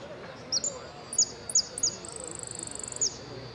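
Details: Saffron finch entered in a yellow "sin cierre" contest class at an interclub cup in Ciudadela, 8 March 2014, singing sharp, very high chirps, then a fast, even buzzy trill of about a second, ending on one more chirp.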